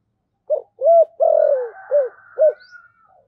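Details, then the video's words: Spotted dove kept as a lure bird, singing in the thổ sấm voice style: short deep coo, two longer rounded coos, then two clipped notes, with a faint higher trailing call behind. "cu gáy giọng thổ/ cu gáy giọng thổ sấm"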